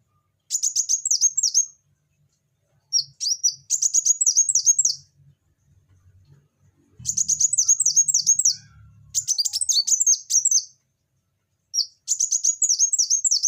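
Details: Van Hasselt's sunbird singing vigorously: very high, thin bursts of rapid down-slurred notes, each run lasting one to two seconds, with short pauses and a faint low rumble in the background.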